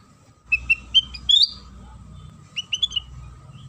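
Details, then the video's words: Sooty-headed bulbul singing as a lure to draw song from other bulbuls: a run of five clear whistled notes climbing to an upswept final note, then a softer, shorter phrase after a brief gap. "Suara Pancingan Kutilang Sutra"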